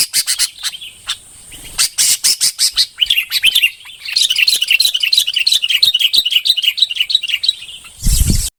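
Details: Bông-type red-whiskered bulbul delivering rapid, tumbling warbled song, many quick notes in dense sequence after a few separate chirps, ending in a sudden loud bump of noise.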